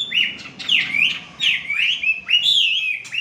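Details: Wambi, the melodious laughingthrush, kept to train it to sing actively: loud rich whistled phrases with swooping falling and rising slurs, delivered in quick continuous succession.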